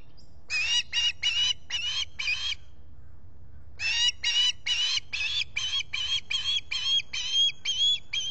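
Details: Osprey squawking at a nest at Salt Point in the Finger Lakes, US, on a July 2021 morning, picked up by a solar-powered nest camera: two bursts of harsh, rapidly repeated squawks, about two per second, split by a brief pause.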